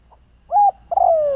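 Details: Spotted dove kept as a decoy to stir up other doves, uttering a brief soft note followed by a steady coo and a drawn-out coo that slides gently downward.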